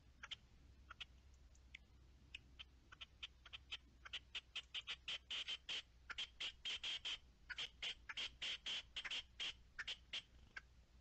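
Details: Partridge calling, dated 10-03-21: scattered sharp notes that build into a loud, fast, insistent run of harsh chucking notes, then ease off again into sparser calls.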